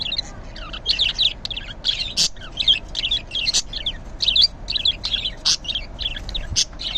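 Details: Green budgerigar in the morning: a continuous stream of fast, warbling chatter and scratchy chirps, broken by a few sharp louder clicks, with no gaps over seven seconds.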